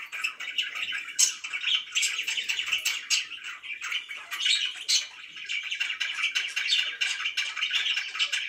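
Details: Relaxed pet budgerigars give a constant flock chatter: fast, scratchy chirps and warbling notes overlapping, punctuated by occasional louder squawks.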